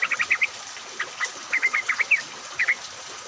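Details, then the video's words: Yellow-vented bulbuls chattering in rain, used to lure other bulbuls into song: rapid strings of bright, bubbly chirps in three bursts, rising slightly, over soft rain hiss. "pancingan trucuk agar bunyi, pancingan trucuk ombyokan, trucuk gacor!"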